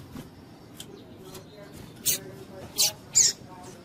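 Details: Female double-collared seedeater calling to excite males, used by breeders to warm up singing males for tournaments; after quiet faint notes, three sharp high chirps come near the end, the last two close together.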